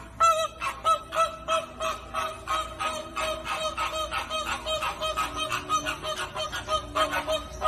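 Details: Flamingos, long-legged birds living in groups, calling as a flock: rapid goose-like honks repeated about ninety times a minute, nasal and harmonic, many birds overlapping in a steady chattering chorus.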